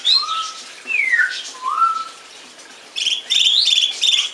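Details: Song thrush with slurred whistles sliding down, then a ringing phrase repeated three times in quick succession.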